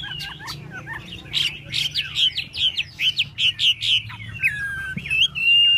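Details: Chinese hwamei fanning and dancing its tail while singing: a run of loud, clear whistled notes repeated about twice a second, each sliding downward, then higher sustained whistles near the end.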